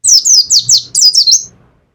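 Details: Caged Pacitan mountain white-eye delivering one quick phrase of about eight sharp, high, downslurred chirps run together over a second and a half, ending in a rising twist; faint low hum beneath.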